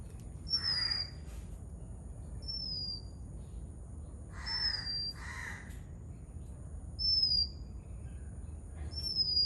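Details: Oriental magpie-robin in Sri Lanka giving clear, high, downslurred whistles, each under a second, repeated about every two seconds, with a few short buzzy bursts lower down and a steady background hiss.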